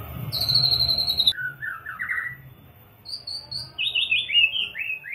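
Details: White-rumped shama (Copsychus malabaricus), song.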